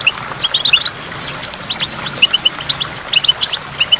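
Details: Goldfinch by a waterfall giving sparser, clear twittering notes, some paired and chiming, spaced with short gaps, high-pitched over a quiet, steady water sound.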